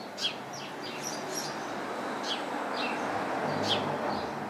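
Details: House sparrows chirping in a crowded bush, with faint, high, quick chirps scattered throughout over steady background noise.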